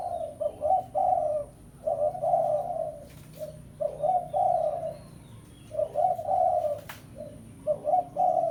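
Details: Spotted dove 'pesom' lure call for challenging a rival: phrases of a few quick hollow coos ending in a longer coo, repeated about every two seconds, clear and loud.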